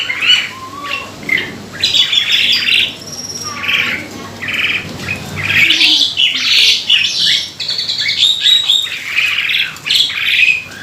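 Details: Kept Asian pied starling delivering a lure song to set other starlings singing; varied grating squawks, buzzy chatter and an occasional thin high whistle, continuous and fairly loud throughout.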